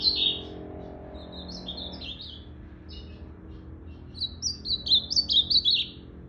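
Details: Blue-black grosbeak singing: a loud opening burst of high notes, then softer slurred, warbled phrases, and from about four seconds a louder rapid run of high, descending chirped notes before fading; faint low background hum throughout.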